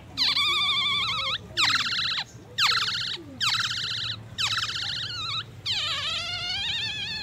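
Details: Black-naped oriole mimicking an ambulance and magpie robin: five long harsh buzzy phrases, each about a second, wavering slightly and separated by short pauses, over steady background noise.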